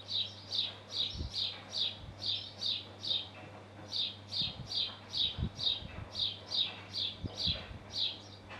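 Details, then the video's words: Male house sparrow calling from a roof beside his nest in Hull, UK: a steady run of short, bright chirps repeated over two per second, with a low background hum and faint thumps. "House Sparrow calling from roof by his nest"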